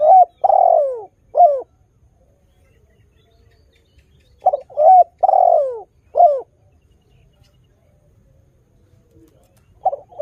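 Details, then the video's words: Persistently singing spotted dove, recorded to coax wild doves into calling: mellow coo phrases repeated about every four and a half seconds, each a pair of short notes, a long falling burry coo and a short closing note. "TEKUKUR GACOR suara merdu - berkesan memancing tekukur baru supaya ikut berbunyi"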